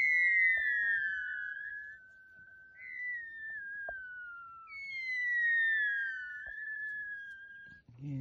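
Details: Greater rhea chicks in Uruguay, kept and fed before release, call for their mother with long, plaintive whistles sliding downward, each about two seconds, one after another, with faint clicks and rustling behind.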